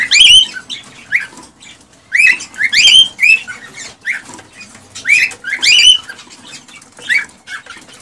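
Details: An excited male cockatiel sings to prompt a female to mate and breed, repeating clusters of bright, up-and-down whistled notes about every second, interspersed with soft chatter and faint clicks.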